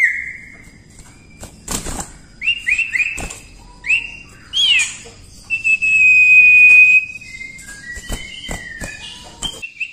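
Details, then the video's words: Lively common iora song used for tutoring other birds: short slurred whistles, then one long steady high whistle held about a second, followed by brief descending notes and scattered clicks. "cipoh gacor ampuh untuk masteran"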